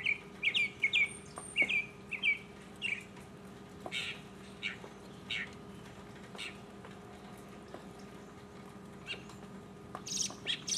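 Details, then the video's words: Solo mockingbird song from 2015 opens with one bright chirped phrase repeated about five times in quick rhythm, then sparser clicks and short buzzy bursts, with more chirps near the end. "mockingbird Solo 2015"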